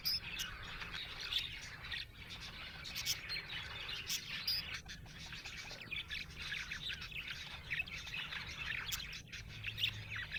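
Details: Chirping budgerigars, said to be happy, keep up a lively mass of high warbled twitters broken by sharp tapping clicks, with a faint low hum underneath throughout.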